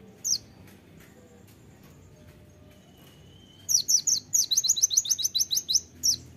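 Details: Kolibri ninja singing at full strength with sharp shots: an isolated high chirp, a quiet stretch, then a sudden sustained run of rapid, piercing, high-pitched notes lasting over two seconds.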